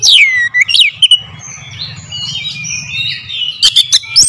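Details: Loud oriental magpie-robin lure song opens with a falling whistle and sharp flicks, fades into soft warbling over a low hum, then ends in a cluster of sharp clipped notes.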